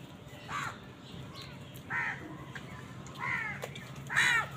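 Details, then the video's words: Harsh, descending caws from crows fighting wild birds for food, four calls roughly a second apart, growing louder toward the end, with a faint low rumble underneath. "Crow bird live crowing sounds | Crows fight with wild birds for food| কাকের ডাক Crow Sound"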